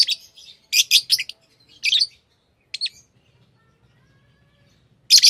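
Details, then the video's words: Lovebirds giving loud, high, scratchy chirps in clustered bursts, then a pause with a faint low hum before one final sharp chirp. "Love birds Sounds | lovebirds chirping sounds"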